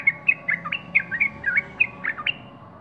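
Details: Singing sooty-headed bulbul gives about ten bright whistled notes, some upslurred and some dropping, spaced roughly every quarter second against faint low rumble.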